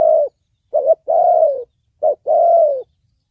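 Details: Spotted dove with a thổ bầu-style voice, used for trapping and training: a short coo, then two phrases each of a quick rising note and a long, gently falling coo.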